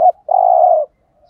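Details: Single 'thúc gù' phrase from a spotted dove used to entice wild doves: a clipped opening note, then a smooth, long low coo lasting about half a second.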